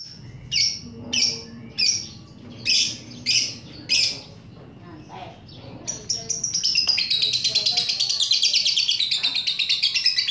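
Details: Lovebird singing to provoke other lovebirds: harsh, separate squawks about every half second for four seconds, then a pause and a long, rapid, high ngekek chatter trill to the end.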